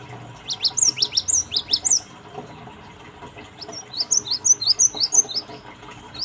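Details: Gelatik batu, the cinereous tit, singing a lure phrase: two bursts of high, fast chirps, an opening run of slurred double notes, a pause, then a lighter rapid series of thin, clipped notes.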